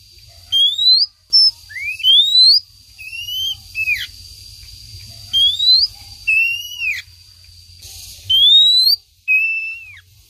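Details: Female Oriental magpie-robin calling to her male, used as a lure: clear, rising whistled sweeps, some sliding downward, given every second or so against a faint steady high tone.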